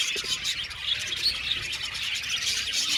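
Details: Budgies singing and chirping in an aviary colony: a constant high, buzzy chatter of overlapping voices with a couple of clear whistled tweets.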